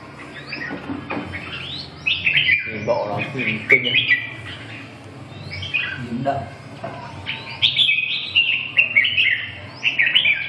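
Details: Red-whiskered bulbul at a bird gathering at Thúy Lĩnh sings bright, warbling whistled phrases in bursts every couple of seconds, with other bulbuls and faint talking behind.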